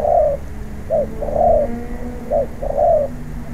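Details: A wild-caught spotted dove in decoy training coos close by: long rolling notes each preceded by a short clipped coo, repeated in a steady rhythm, with a soft low hum behind.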